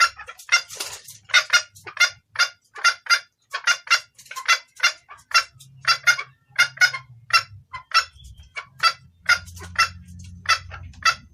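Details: Red junglefowl hen calling for a male with a clear voice used to lure cocks. About twenty-five crisp, clucking notes come at a quick, slightly uneven pace. A low rumble rises near the end.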